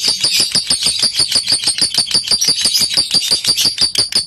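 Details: Lovebird in ngekek style, a recording meant to provoke rival birds to sing: loud, high, sharply pulsed chattering with clicky notes repeated about three times a second, evenly and without pause throughout.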